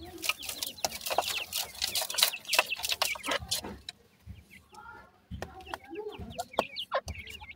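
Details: Young grey francolins chirping in a dense, scratchy burst of rapid peeps, about 167 notes a minute, that thins to a quiet pause before scattered high chirps resume.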